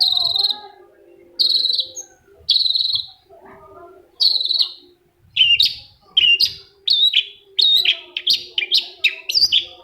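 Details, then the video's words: Long-tailed shrike lure song, played to provoke a quiet shrike into singing back. Loud, harsh, buzzy high notes of about half a second open the clip, then a quickening run of short chattering notes. A faint low steady hum runs underneath. "PANCINGAN CENDET MALAS BUNYI SEKETIKA CENDET LAIN LANGSUNG NYAUT!!! | Singing of shrike bird"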